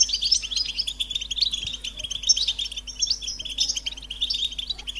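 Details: High, sparkling twitters and buzzy trills from a European goldfinch run continuously in a rapid jumble of chirps over a faint steady hum.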